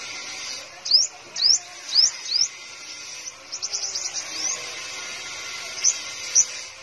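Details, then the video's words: Caged sunbird, the kind called five-colour sunbird, kept in Tân Phú, Đồng Nai, Vietnam: four quick high rising slurred notes in a row, then a softer buzzy twittering run and two faint later chips. "Chim Hút Mật 5 Màu Hót Líu"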